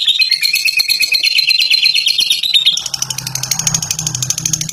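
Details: Fighter lovebird giving a long ngekek song: a rapid, high, rattling chatter sliding slightly downward for about three seconds, then a thinner, buzzier trill over a low steady hum.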